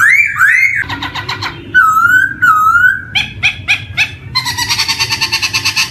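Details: Black-throated laughingthrush song meant to coax young birds into singing: looping whistles, buzzy rattles, a level wavering whistle, sharp clipped notes and a fast rhythmic rattling burst at the end.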